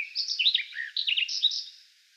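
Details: Garden warbler (Sylvia borin), a Russian forest bird, sings a fast, rich, bubbling warble of mellow chattering notes in a continuous stream for nearly two seconds.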